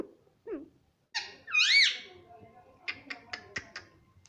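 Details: Caged-home ringneck parrot talking, mimicking mummy: a short low squeak, then one strong arched call rising and falling, followed by a run of dry tapping clicks.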